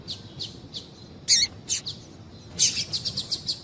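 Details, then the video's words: Female double-collared seedeater calling to warm up and stimulate a male to sing: short, sharp high chirps, a few spaced apart, then a quick run of about six evenly repeated chirps at the end, over a faint low hiss. "Piado de fêmea de Coleiro Chamando Quente para Esquentar Coleiro tui tui"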